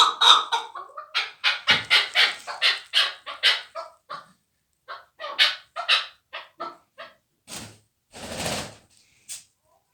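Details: Fighting chukar partridge, a young bird from last year, giving rapid harsh repeated chuck notes about four per second in a run, then sparser notes after a pause, with a few loud noisy bursts near the end.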